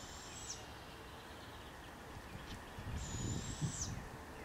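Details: Barred owl family with the first chick just out of the nest as a parent checks on it: two thin, high, hissing screeches, each under a second and about three seconds apart, over soft rural background noise and a low rumble.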